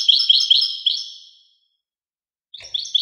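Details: Short goldfinch snippet: a few quick, high, tinkling chirped notes fading away, silence, then the start of another twittering burst.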